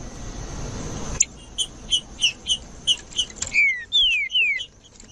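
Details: Green-winged saltator (trinca-ferro) in the wild, used to warm up a cold caged bird: a run of short sharp chips repeated about every third of a second, then three loud whistled notes sliding downward, over a steady high hiss.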